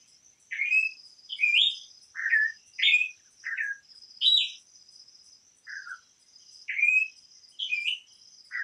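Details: Campo troupial delivering a string of loud, fluty whistled phrases, each a short upslurred or downslurred note about half a second apart, with a constant high insect drone behind.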